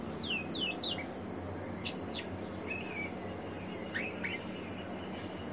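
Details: Ringed rufous-collared sparrow kept by a breeder, singing a little: a few quick high slurred whistles falling steeply, then a short lower trill, with other scattered chirps and a steady hum behind.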